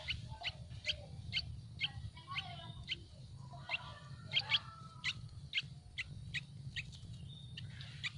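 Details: Yellow-vented bulbul nestlings in a tree nest beg for food, giving sharp, high, clipped chirps about twice a second, some doubled, with a quiet low hum of background noise beneath.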